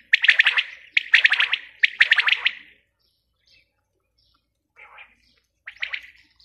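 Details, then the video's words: A female quail gives three rapid bursts of sharp, stuttering notes, then falls silent for about two seconds. A faint soft note and one last short burst follow. "Batair ki awaz | Bater awaz | Quail sound | batai madi ki awaz"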